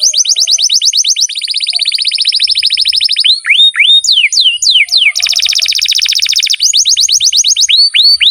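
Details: Canary in long, vigorous full song, a training recording for pet birds: rapid rolling trills of repeated rising notes, sliding whistled swoops in the middle, then dense buzzy rolls, with a constant high-pitched hiss behind.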